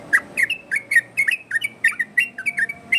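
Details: Yellow-vented bulbul 'ropel' variation used to lure and train other birds: a quick series of loud, liquid whistled notes with clicky attacks, about four notes per second, in quiet surroundings.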